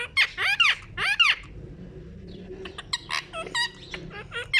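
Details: Pet ring-necked parakeet playing at a mirror indoors. It gives three loud, harsh, arched screeches in quick succession, followed by a run of softer, quick chirps and chattering notes in a small room.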